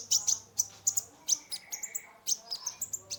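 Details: Caged sunbird (kolibri ninja) singing lively as a lure to stimulate a stressed bird: rapid high, sharp chirps and short trills, with buzzy bursts repeated in quick clusters and a faint low hum beneath.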